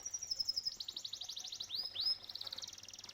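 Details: Singing canary by a koi pond delivering a quick, rolling high trill, briefly broken by two upward-sweeping whistled notes before the rapid pulsing resumes.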